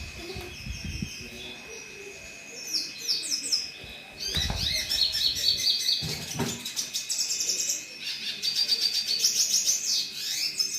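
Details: Red siskin song: long, jumbled high twittering with buzzy trills and short whistled slurs, continuing almost throughout, with a few low thumps and a constant electronic hum behind.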